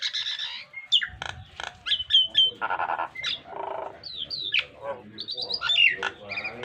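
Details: A Nias hill myna in full voice delivers a dense mix of high clear whistles, slurred upsweeps and broad raspy harmonic bursts. The lively, imitation-rich song is meant to be copied by pet mynas.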